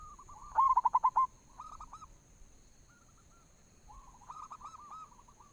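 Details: Local zebra dove lure song, meant to start other doves singing: a loud staccato burst of about seven quick coos, followed by softer, rolling coo phrases.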